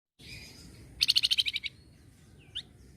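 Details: Sunda bush warbler answering a noisy sound: a fast burst of about nine sharp, high, evenly spaced chirping notes lasting under a second, followed by a single rising-falling whistle, over faint low background hiss.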